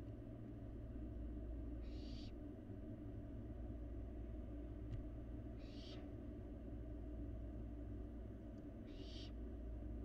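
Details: Barn owl fledgling in a Florida nest box, getting food in an otherwise empty box. Three rasping, breathy screeches about two to three seconds apart rise out of a constant low background hum, with faint clicks between them.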